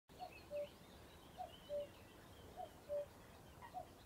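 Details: Common cuckoo calling at RSPB Ham Wall Nature Reserve in Somerset, UK, on a day rich with birdsong: clear two-note cu-ckoo, higher note then lower, repeated about every 1.2 seconds over faint background birds.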